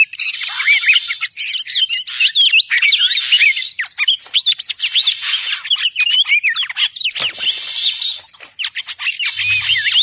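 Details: Oriental magpie-robin lure sound for bird trapping, a long, dense, unbroken medley of squeaky whistles, quick chirps and harsh buzzing notes, with a short faint low hum near the end.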